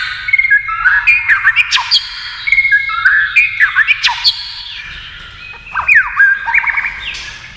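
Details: Competing against a television, a white-rumped shama delivers quick tail-flicking song: clipped whistled notes repeated in rapid series, a short lull, then renewed sweeping phrases.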